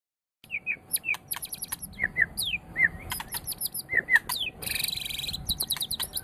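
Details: White-rumped shama of the Medan type, a champion-quality bird used to stimulate other birds to sing: varied song of whistled slurred notes near mid pitch mixed with sharp high clicks and a harsh buzzy burst.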